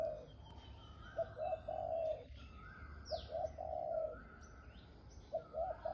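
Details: A spotted dove calling: low, soft three-part coos, two short notes and a longer rolling one, repeated about every two seconds, with faint chirps of other birds behind.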